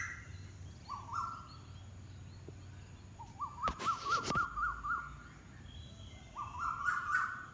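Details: An unidentified bird repeats quavering, trilled whistles of steady pitch in short bursts, with a longer run in the middle and brief low knocking and rustling noises nearby.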